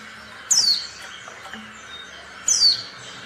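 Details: Two high, thin, falling notes about two seconds apart from a female Oriental white-eye, a call used to make silent males answer and sing; quiet steady background noise.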